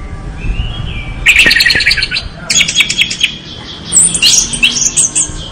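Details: Orange-headed thrush singing energetically: after a quiet second, bursts of varied chirpy, twittering phrases with sharp clicks, pausing briefly, then a high, rapid ending around five seconds in.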